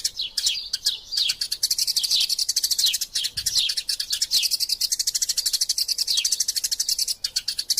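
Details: Eurasian tree sparrows in a fighting bout, recorded as training material for songbirds: a dense, nearly unbroken stream of sharp high chirps with short downward-sliding notes woven through it. No other sounds stand out.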